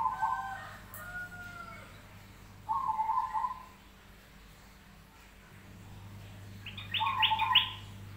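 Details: Crested zebra dove, a crossbred bird, singing actively: short level cooing notes near mid pitch, a pair at the start, one around three seconds, and a louder buzzy phrase with higher overtones near the end, separated by quiet gaps over a steady low hum.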